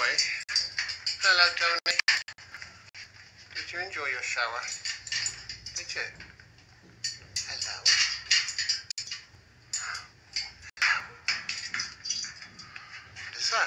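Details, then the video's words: Macaws that have just had a shower chatter and talk, with harsh, scratchy squawks and short speech-like phrases in quick bursts, with a few clinks and household noises. "Macaws just enjoyed a shower - Talking"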